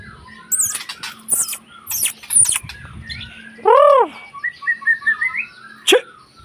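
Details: White-rumped shama singing a busy mix of high squeaky notes and harsh chatter, one loud arched whistle, a short run of rising twittered notes, and a final sharp note.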